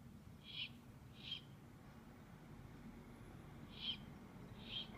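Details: Owlets on 2/11/15 making four short, noisy hissing screams in two pairs, each pair about three seconds apart, against a soft low background rumble.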